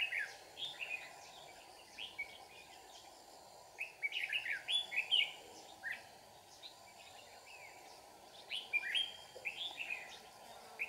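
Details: Red-whiskered bulbul recorded at a trapping site in Kim Bôi, Hòa Bình, Vietnam. Short bursts of bright, warbled, high notes come around four and nine seconds, with quieter gaps between them, over a steady background hum.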